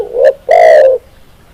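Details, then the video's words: Close, loud coo from a spotted dove (tekukur): a short introductory hoot, then a long, rich, gently falling coo of about half a second. "SUARA BURUNG TEKUKUR"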